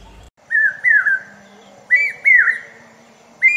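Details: Common hawk-cuckoo calling, with loud, clear whistled phrases of three rising-and-falling notes, each phrase repeated about every one and a half seconds against a quiet background.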